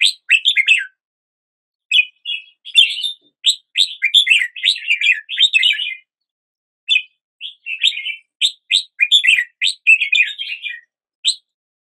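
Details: Red-whiskered bulbul song with repeated bright warbled phrases, each a rapid run of chirps, broken by pauses of about a second; nothing else audible.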